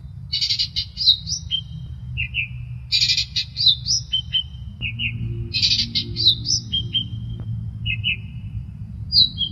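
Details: Long-tailed shrike (cendet) singing actively as a training and lure recording: a short phrase of scratchy chirps followed by paired whistled notes, repeated roughly every two and a half seconds over a low rumbling hum.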